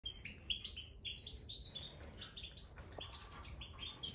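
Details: Several captive Major goldfinches in an aviary with freshly strewn bird sand, giving rapid bright chirping calls in quick overlapping bursts, some notes sliding downward, with a hiss of low background noise throughout.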